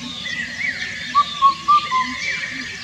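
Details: Indian cuckoo giving its loud four-note hooting phrase, the notes evenly spaced and mid-pitched with the final one slightly lower, while other birds twitter faintly behind.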